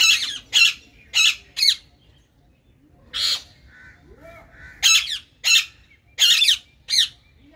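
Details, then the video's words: Harsh, grating squawks from green Indian ringneck parakeets in a colony, delivered in quick bursts of two to four with a short quiet gap midway and soft lower notes between. "Ringneck Parrot Sound | Green Ringneck Parrot Colony"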